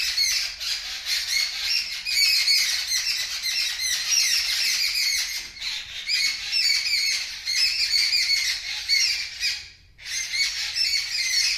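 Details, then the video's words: Birds scream loudly after a kitten spots them and makes a strange noise. Rapid, harsh, high squawks pour out in a steady stream from several birds, broken by one brief quiet gap near the end. "The Birds Are Screaming Loudly"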